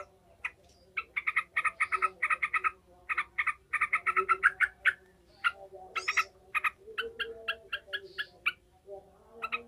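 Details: Agitated yellow-vented bulbul, its sound used to steel other bulbuls for fighting, gives fast runs of clipped chattering notes in dense clusters, then sparser repeated notes, with a faint low hum behind.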